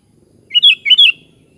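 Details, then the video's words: Sooty-headed bulbul phrase of two linked pairs of bubbly, rising-then-falling whistled notes lasting about half a second, over a faint low background. "SUARA BURUNG KUTILANG"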